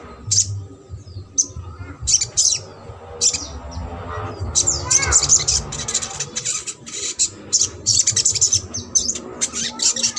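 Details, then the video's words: Sogok ontong singing in the trotol style, meant to make a silent bird start singing: irregular bursts of sharp, high, squeaky twitters and chatters across ten seconds, with low background rumble. "SOGON TROTOL INI MERANGSANG UNTUK SOGON MACET"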